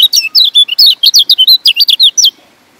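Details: Lemon-bellied white-eye (kecial kuning, Lombok pleci) singing a lure song to draw in other birds. Rapid run of high, clear, twisting whistled notes, about fifteen in two seconds, then silence.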